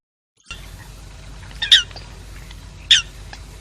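American Coot giving two short, squeaky, nasal squawks about a second apart, like a squeeze toy, over faint background hiss.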